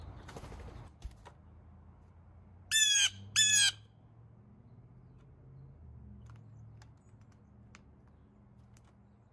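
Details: A wild Blue Jay, one of those visiting a backyard daily to eat peanuts put out for them, gives two loud, harsh, nasal 'jay' calls in quick succession; faint tapping and a low background hum.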